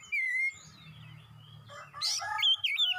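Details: Oriental magpie-robin in lively song, a short clear whistle followed by a quiet stretch with low background hum, then a burst of harsh, rapid, twisting whistled notes near the end.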